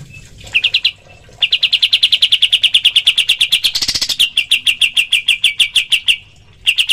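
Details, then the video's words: Training recording of a kapas tembak bird's 'tembakan' calling: a long, steady stream of high, clipped chirps, roughly three per second, briefly broken by a burst of harsher, blurred notes near the middle. "masteran kapas tembak full tembakan suara asli dan jernih"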